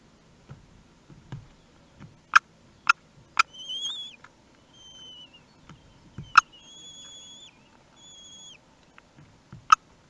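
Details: During a prey delivery at a common kestrel nest in Théding, France, recorded 4 June 2021: several sharp knocks and clicks, broken by long, thin whistled notes that are level to slightly rising, repeated at uneven intervals.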